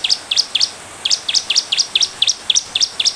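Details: Rapid bar-winged prinia song serving as a lure to get other birds responding: dense high, piercing chirps grouped in threes, pouring out almost continuously.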